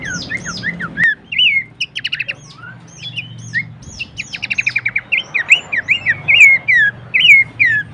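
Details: Horsfield's babbler song for training songbirds: varied downslurred whistles, bursts of rapid staccato notes and bright upslurred phrases, growing busier and louder toward the end.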